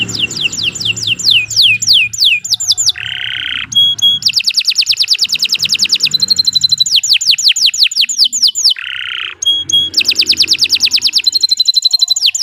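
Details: Long, lively canary song meant for tutoring other birds: descending whistled sweeps, a low buzzy burst, then long fast rolling trills of repeated notes, broken by short high whistles and a second buzzy burst.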